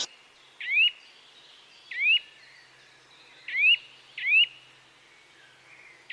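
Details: Bird chirping in a calm natural setting, a clear upward-sweeping whistled note repeated four times at irregular gaps of roughly one to two seconds, over a faint steady hiss.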